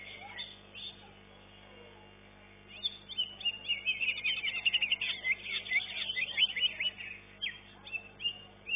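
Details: Competition greater green leafbirds, caged, in an elite class contest: a quieter opening, then an energetic stretch of quick chirps, slurred whistles and trills, about four notes per second, fading into scattered calls.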